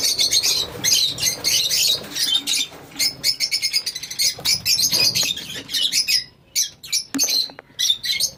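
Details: Colony of lovebirds chattering together: a busy stream of high, sharp squeaks and chirps in rapid bursts, with a few short pauses in the din.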